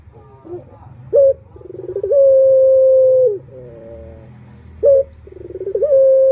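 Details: Male puter turtle dove lure call: a clipped note, then a stuttering rise into a long steady coo, falling purrs after, over a low background rumble.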